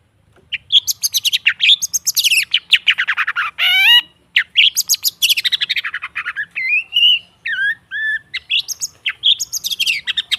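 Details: Long-tailed shrike song played as a lure to get silent caged birds singing: a dense, lively run of harsh chattering notes mixed with clear rising whistles, a sweeping upslurred phrase near four seconds, and bright two-note whistles near the end.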